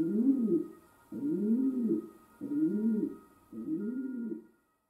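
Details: Four rounded, throaty coos from a pet domestic pigeon, each swelling and dipping over roughly a second, delivered at an even pace with short silences between them; a thin camera hum stays in the background.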